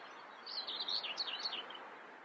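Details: Brief scratchy common whitethroat phrase: about a second of hurried, wavering high notes rising and dipping, fairly faint over steady background noise.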